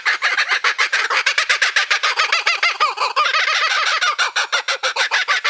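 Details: Kookaburra laughing: a rapid, harsh, chuckling series of arched notes, about eight per second, growing louder and denser midway before settling back into the steady cackling rhythm.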